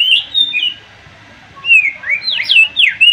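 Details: Murai batu (white-rumped shama) delivering a sharp song that spurs rivals to sing, March 2021: clear slurred whistles, a second-long pause, then swooping high notes rising and falling in quick succession.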